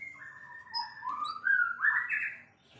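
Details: Energetic song of a champion white-rumped shama: one long flowing whistled phrase that climbs in steps from low to higher notes, with a few thin high notes above it.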